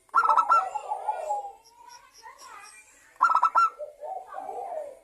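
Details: Song of a local zebra dove played to make other doves sing; two bursts of fast rattling notes, each trailing into a long soft purring coo.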